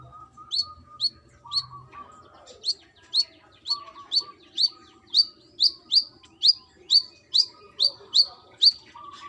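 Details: A female brown-throated sunbird calls to a male in a long, steady series of piercing high chirps, about two every second, over a faint background hum.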